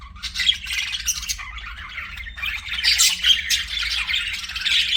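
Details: Budgerigar warbling nonstop, a harsh, squeaky chatter of tightly packed chirps that swells louder in the second half, with scattered thin whistles mixed in.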